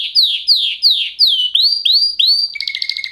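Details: Singing canary delivers a series of descending slurred whistles, then several upward-curving whistled notes, closing with a fast pulsing trill.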